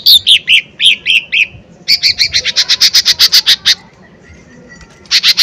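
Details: Lesser green leafbird singing as a lure to excite rivals: several slurred, descending whistled notes, then a quickening string of sharp high chips, a silent gap, and another burst starting.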